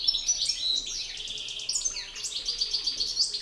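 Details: European goldfinch males competing in song, a master singer and an excited bird: dense, fast high twittering with buzzy trills and sharp downward slurs, nonstop.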